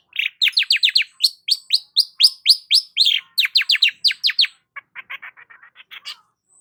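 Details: Rapid chattering Long-tailed shrike song: a dense stream of bright descending chirps, nearly four a second, fading into softer quick clipped notes.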